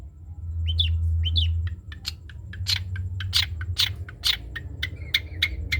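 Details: Long-tailed shrike singing in the trotol style for other birds to copy: two twisting whistled notes open a fast, dense string of sharp chips and buzzy bursts, ending in softer warbled notes, over a low hum.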